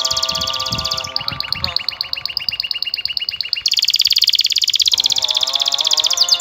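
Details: Canary singing in response to hearing the call to prayer: loud, rapid high rolling trills that shift pitch in several sections, running continuously, over steady sustained lower tones in the background.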